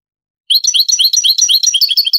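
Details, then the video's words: Granada-style song of a European goldfinch, from an old Spanish recording of the 1980s–90s: a dense, rapid twitter of high, tinkling notes that varies as it goes on, filling under two seconds. "CANTO DEL JILGUERO"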